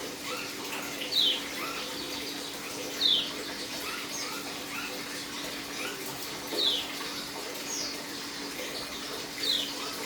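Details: Caged Dakun-type white-eye on its third day of dew conditioning, beginning its chirping 'ngeriwik' song and wing-flapping while still aggressive: sharp, high, downslurred chirps every two to three seconds, with softer notes between, over a constant hiss.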